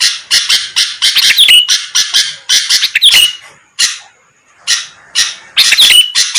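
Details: Lively sooty-headed bulbul on a lure track meant to make rivals respond fast: quick rasping chatter runs, each ending in a short bright whistle, with a brief quiet gap before the last run.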